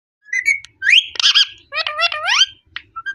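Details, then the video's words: A talking parrot chatters in quick bursts of squeaky, speech-like syllables mixed with clear rising whistles, three or four phrases over three seconds. "Talking parrot"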